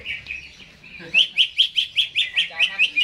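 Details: Caged greater green leafbird, jamtrok-style song before hanging: a soft warble, then about ten loud, evenly spaced chirps repeated roughly every quarter second.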